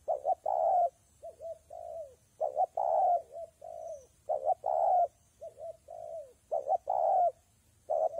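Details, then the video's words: Spotted dove cooing all through rainy, windy weather, phrases coming almost without a break: loud hollow coos with short lead-in notes alternate with quieter, downslurred coos. "Thời tiết mưa gió ace vào nghe cu gáy gù cả ngày"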